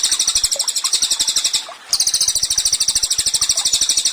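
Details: Lively cililin singing as a training recording for songbirds: high, rapid, trilling repeated notes with a short break near the middle, then the same fast shrill trill continuing strongly.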